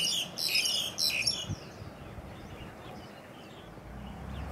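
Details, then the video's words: Olive-backed Pipit (Anthus hodgsoni) gives a quick burst of thin, high, slightly buzzy notes over about a second and a half, then only a faint low rumble. "樹鷚 Olive-backed Pipit (Anthus hodgsoni)"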